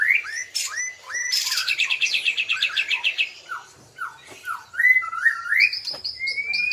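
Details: White-rumped shama from Bahorok with black legs singing: clear whistled rising phrases, a fast rattling trill of repeated notes, then upward-slurred whistles and high thin notes, loud and varied throughout.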